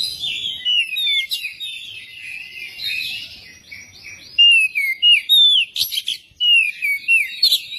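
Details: ['Oriental magpie-robin singing to encourage another magpie-robin to sing: continuous varied warbling and chatter, building into a series of loud, crisp whistled notes repeated rapidly toward the end.']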